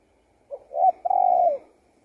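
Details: A single spotted dove phrase: a brief soft note, a short rising coo, then a long steady coo that dips at the end.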